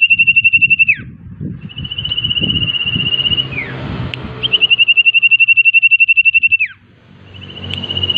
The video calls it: Suara burung cipoh gacor isian banyak